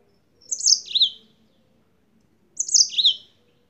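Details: Two short squeaky, slurred phrases from a yellow-fronted canary brought from Spain, separated by about two seconds of quiet, with a faint low rumble underneath.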